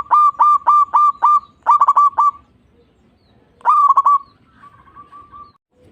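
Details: Perkutut, the zebra dove, singing a stimulating song meant to get silent or lazy doves singing: fast strings of resonant coos in two bursts, a later short phrase, and a faint trailing hum of notes.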